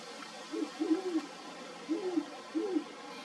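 A great horned owl gives a series of deep, soft hoots, a short note, a longer drawn note, then two more spaced hoots, over a faint steady hiss.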